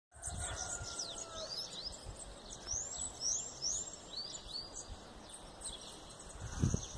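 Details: Bananaquit song, known locally by several folk names: thin, high, rapidly repeated downslurred whistled notes forming a sibilant twittering phrase, over steady insect-like hiss and faint low background noise.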